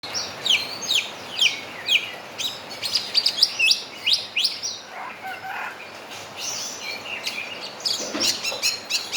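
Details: Javan myna singing a song that includes mimicry of a crowing rooster: rapid bursts of sharp, high chirps and short descending whistles, then a lower, drawn-out harmonic phrase midway. Steady background hiss throughout.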